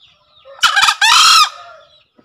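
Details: Green junglefowl crow used as a lure for newly caught wild birds or ones reluctant to call: a harsh, broken two-part crow, a choppy opening burst followed by a longer strained drawn-out note, over a quiet background.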